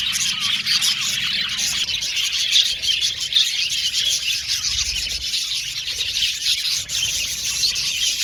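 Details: Male blue and violet budgies kept in a colony chirp in a bright, ceaseless chorus, with quick rising squeaks and twittering over faint low thumps.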